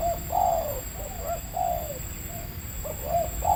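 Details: Wild spotted dove in Indonesia, medium-voiced, calling during decoy trapping: several soft, slightly downslurred coos spaced irregularly, partly masked by steady low rumbling background noise.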